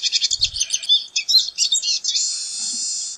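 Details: Pine siskin singing a fast scratchy twitter of short, wheezy notes that runs into a long, level, rasping buzz near the end, with a few low thuds early on.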